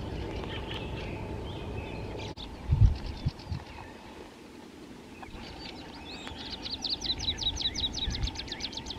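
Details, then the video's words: A Common Chiffchaff sings a run of quick, high, clipped notes over a steady patter of rain on 26 April 2023, with a few fainter bird notes earlier. "Голос пеночки теньковки."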